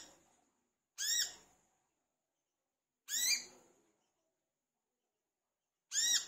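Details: Olive-backed sunbird, known locally as wiceh or manggar, recorded as a song lure for other birds: three sharp, grating notes with rising overtones, widely spaced about two and a half seconds apart, separated by silence.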